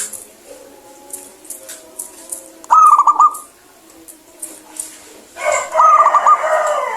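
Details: A local zebra dove, singing eagerly and clearly, delivers two quick rippling phrases of short staccato coo notes a few seconds apart, each a fast bubbling trill, over low background noise.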